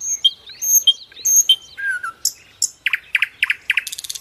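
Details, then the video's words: Common nightingale song used to train other birds: high whistled notes alternating with lower slurs, a long descending whistle, then a sequence of loud, sharp, repeated chuckling strokes speeding into a buzzy trill. "Sikatan londo Gacor, Nightingale bird song"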